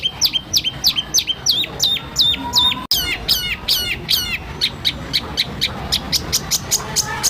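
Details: Champion-style white-rumped shama training recording with harsh 'tembakan' phrases: a long series of sharp, downward-hooked whistled notes, about three each second, over a soft hissing background.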